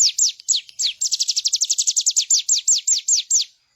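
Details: High, piercing song of a bar-winged prinia, meant as a master for cage birds: a few spaced slurred notes run into a fast even series that slows toward the end, then stops.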